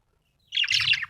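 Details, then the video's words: Happy budgie giving one short, dense, chattery chirp burst of high scratchy notes, with a faint low hum beneath. "Happy budgie chirping sound"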